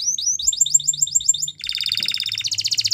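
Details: Spanish Timbrado canary, training song for canaries, with rapid paired chirps and then a fast, even, metallic trill.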